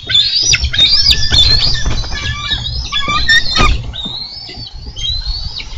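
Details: Bald eagles on a Minnesota nest camera, 4 July 2013, fight over a delivered carp. Loud, rapid, squealing whistles tumble over each other, with sharp knocks and rustling from the struggle.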